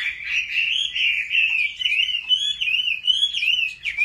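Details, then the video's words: Home-trained Chinese hwamei singing in competition style with a wild-type voice: a continuous, loud, rolling warble of slurred whistles, rising and falling without a break. "Họa mi hót đấu cực hay"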